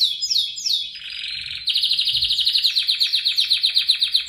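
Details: Canary singing a training song for other birds: a few downward-swept whistles, then a dense buzzy trill breaking into a fast pulsed roll repeated about four times per second.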